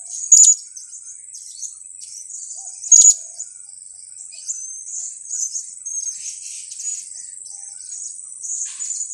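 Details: Blue-crowned hanging parrot lure call (kiak-kiak) for trapping: two loud, sharp, very high notes about three seconds apart, followed by faint high chatter over a steady hiss.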